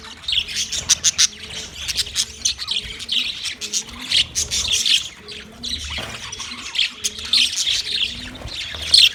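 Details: Budgerigar flock chirping on 9 March 2024: continuous high warbling chatter with squawky chirps, plus a faint repeated low tonal pattern running underneath throughout.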